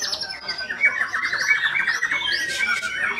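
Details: White-rumped shama delivering a short burst of song: a rapid run of repeated clipped notes like a stuttering trill, then brighter high whistles near the end.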